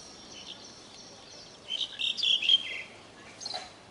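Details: Pied myna at its nest in India: a short burst of high, squeaky chirps and whistled notes in the middle, then a fainter squeak near the end, over a quiet hiss.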